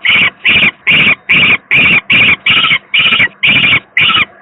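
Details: Young peregrine falcon at the Gdynia PGE power plant in Poland, 18 May 2023, the second chick said to be very unwell; ten harsh, grating calls in quick succession, roughly two per second, with a faint steady hum beneath.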